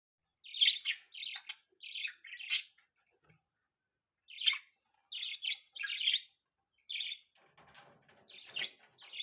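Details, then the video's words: Pet budgerigars chirping indoors in a small room: a run of short, bright, buzzy chirps in quick bursts, pausing briefly around the middle, with faint scratchy rustling toward the end. "funny birds chirping sound|budgie sounds"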